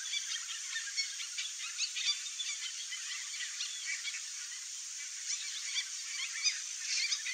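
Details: A nesting pair of Red-bellied macaws (Orthopsittaca manilatus) gives harsh, raspy squawks, short and irregular and overlapping, over a steady background hiss.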